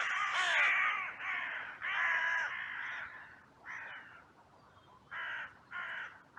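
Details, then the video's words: Crows at a cemetery on a sunny, blue-sky day, caught by a trail camera in a massive outcry after two crows fought briefly. Harsh, hoarse caws come in a run of about six, some overlapping, with short gaps between them. "Crows and Crow Sounds"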